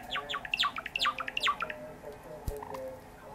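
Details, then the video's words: Sakura Java sparrow singing as it pecks at a hangnail on a finger: a quick series of bright chirps, each sliding sharply downward, repeated about every half second, then fading to soft scattered notes and one low thud. "さえずりながら指のささくれ攻撃 文鳥動画 Java sparrow"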